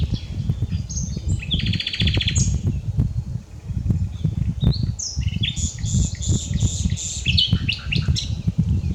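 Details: Common nightingale song, unedited: a very fast machine-gun trill near the start, then bright jumbled whistles and chirps, with heavy low rumbling noise throughout.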